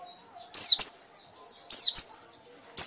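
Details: White-eye giving loud ngekek phrases: paired high, piercing downslurred whistles in two bursts about a second apart, with a third starting at the end, separated by quiet gaps.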